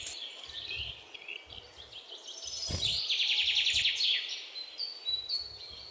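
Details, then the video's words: Great tit song in the open air, a quick run of sharp, high repeated notes rising in strength midway, amid scattered chirps of other birds and faint low thumps. "Bird - Great Tit / මහ ටිකිරිත්තා"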